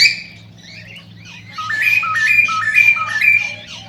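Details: Cockatiel song intended to stir cockatiels to mate: a soft opening whistle, then a series of loud stepped two-note phrases, low then high, repeated about twice a second, over faint background hum.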